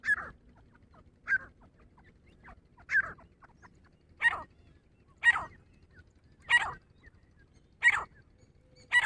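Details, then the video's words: A female grey francolin (dhakni teetar) gives harsh, loud single notes about every 1.3 seconds, eight in a row, over faint background hiss; the calls are described as fighting calls. "grey francolin voice🔥 dhakni teetar ki awaz 🔥dhakni teetar Ki ladai🔥 Awaaz female ki ladai"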